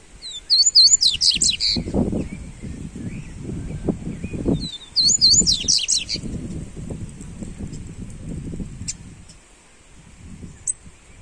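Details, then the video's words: Double-collared seedeater (coleiro/papa-capim, "fibra" type) song recording meant to warm up other birds: two short bursts of high, rapid twittering song phrases, a few seconds apart, over heavy low rumbling noise. "Esquente seu papacapim Coleiro"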